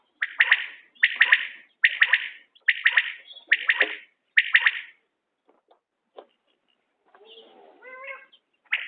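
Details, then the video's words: Common quail in a quail-hunting context delivers six quick triple-pulse calls in a row. A pause follows, then a separate rising, harmonic chattering call. "بٹیر کی عمدہ بولیاں"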